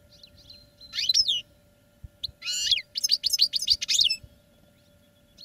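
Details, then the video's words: European goldfinch kept in a cage for song training, singing a fast twittering phrase of bright, liquid notes mixed with buzzy, rattling elements, delivered in quick bursts with short gaps and a faint low hum beneath. "Goldfinches Singing in CAGES for TRAINING"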